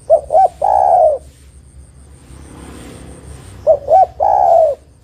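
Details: Female spotted dove calling a male, played as a lure: two cooing phrases of two short notes and a long falling coo, separated by a soft rushing background noise.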